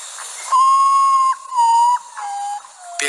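Common Potoo: long, mournful whistled notes that step down in pitch, each held for most of a second, giving a slow, lamenting descent.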